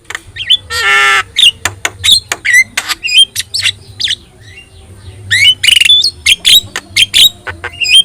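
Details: Javan myna with yellow eyes, lively song meant to tutor other birds: a buzzy rasping burst, then sharp whistled notes and squawks in quick succession, a cluster of loud harsh notes near the end; low hum throughout.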